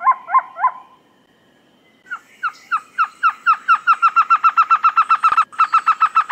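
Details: Trogon giving three hooked notes, a brief silence, then a long accelerating series of repeated notes that becomes quick and even toward the end, with one sharp click.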